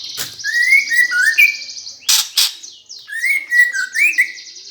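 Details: Greater green leafbird gereja-style fighting song for provoking competition birds. Rich slurred whistles wander below a continuous high buzzy trill, interrupted midway by two loud harsh rasps, then the whistled phrases resume.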